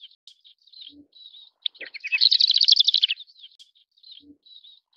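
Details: Sykes's short-toed lark, a vagrant recorded in Taiwan, giving scattered thin high notes around a dense, rapid chattering burst of dry chirps about a second long, with soft low notes before and after.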